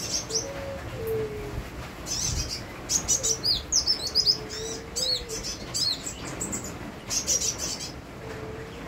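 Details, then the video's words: Sunbird in lively song with rain falling: bursts of very high, thin chirps and quick twitters come in irregular clusters, while a low, soft cooing bird calls intermittently beneath a steady rain hiss. "Kolibri wulung gacor bonus irama hujan"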